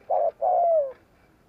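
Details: Spotted dove gù kích coo meant to draw in wild birds: one short flat coo, then a longer, smooth note gliding downward.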